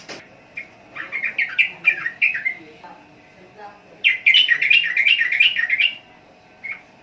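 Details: Sooty-headed bulbul (trucukan) song in two bouts of rapid, bubbly chattering notes, the second louder and denser, separated by a short pause, with a faint thin tone humming behind.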